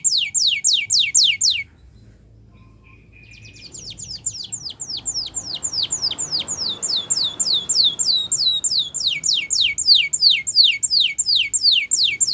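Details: Spanish Timbrado canary singing a training song: rapid series of steeply descending whistled notes, about three per second, with a pause and a soft low buzz before the fast downward strokes resume.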